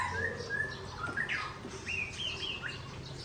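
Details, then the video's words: White-rumped shama of the Aceh Tangse type, singing against a rival in a quick run of thin whistled notes, some rising and some falling, in a rapidly varied phrase. "Murai Aceh Original Tangse Bereng Sebeng Lawan"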